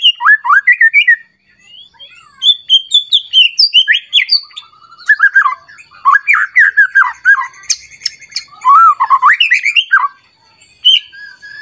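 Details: Emotional White-rumped shama, provoked to sing against a rival and pouring out its full song repertoire. A long, nonstop stream of varied whistles mixed with harsh, squawky notes and rapid chattering phrases, with barely a break.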